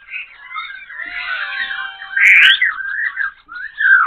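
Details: Black-throated laughingthrush, a caged bird in Bình Chánh, Ho Chi Minh City, sings while dancing with tail and wings, changing voice wildly: a rich flow of sliding whistles and squealing notes, rising to a loud burst then dropping.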